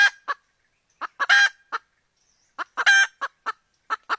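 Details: Domestic hen calling out for the rooster: sharp, raspy squawks in short clusters of two to four, a louder drawn-out cry in each cluster, separated by silent pauses of about a second.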